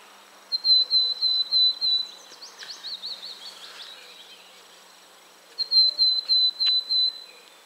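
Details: Willow tit contact calls, with an annoyed Great tit also calling, near 51.950609, 20.114712: two bursts of five or six clear, even, high whistled notes, with soft buzzy, scratchy calls between the phrases.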